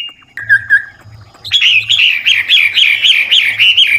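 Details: Old wild Chinese hwamei singing to stimulate young birds to sing; brief soft notes and a low hum, then a loud burst of rapid wavering whistles rising and falling.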